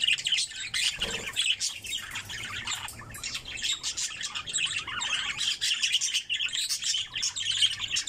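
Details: Five-month-old pseudo-violet opaline budgerigar with clearwing and lacewing markings, chattering continuously in a busy stream of high warbling, chirping and squeaky notes, with light background noise.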